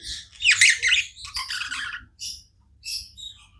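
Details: Pet budgies chirping without pause, a loud scratchy burst of buzzy chatter fading into softer scattered high chirps, low background rumble in the room.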